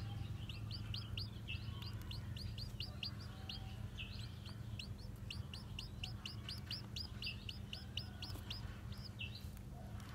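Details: Several newly hatched Japanese bantam chicks, white bodied and black tailed, wander about while uttering a steady chorus of high sharp peeps, rapid bent notes crowding together throughout, against a faint low hum.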